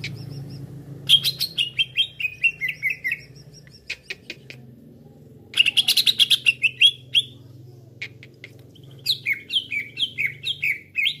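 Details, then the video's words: Green leafbird call played as a trapping lure for a fast response from other leafbirds: three bursts of chattering clicks and falling whistled notes, with a low hum throughout. "PIKAT CUCAK IJO LAIN CEPAT RESPON"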